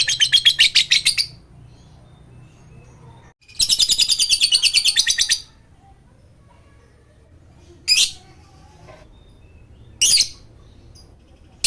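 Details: Lovebird chattering used as a lure to prompt silent lovebirds to sing: dense, rapid high-pitched chirp trains in two long bursts of about one and two seconds, followed by two short sharp bursts.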